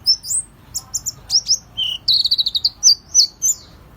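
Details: Oriental white-eye lure song, a lively, varied twitter: high whistled slurs, a rapid stuttering trill of repeated notes near the middle, then a few more bright rising and falling phrases.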